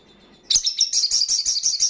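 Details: Crimson sunbird in loud ngalas song, used to spur breeding condition and aggression in untrained birds; a rapid, continuous series of very high, sharp, slightly buzzy notes about eight per second.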